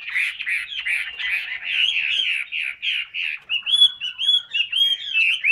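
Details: Chinese hwamei delivering a continuous stream of warbled, twisting whistles, the first half a rapid run of slurred notes, the second half clearer ringing whistles at a higher pitch.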